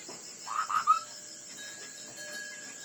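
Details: Ground hwamei in a song contest, delivering a short three-note phrase whose last note rises into a clear whistle, with a thin high drone throughout.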